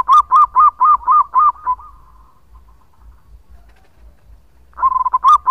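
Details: Local zebra dove singing long as a lure, a male: a loud run of about six evenly spaced, throaty coos trailing into a soft drawn note, silence, then another loud burst of rolling coos.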